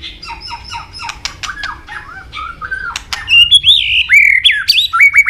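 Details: White-rumped shama in a training song with long strings of many forest-style voices and tail-flicking 'tach' clicks. Sharp clicks and short squeaky notes give way to loud, clear whistled phrases that rise and bend.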